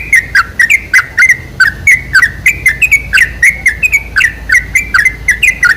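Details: Lure recording of sooty-headed bulbul song meant to provoke bulbuls into singing. Quick chattering phrases of clear, bubbly whistled notes that dip and rise, delivered nearly three times a second in a steady, excited stream.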